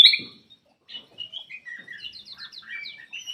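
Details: Black-crested bulbul singing to urge lazy birds into song: a loud opening whistle, a pause, then a quick series of short, descending and rising chirped notes.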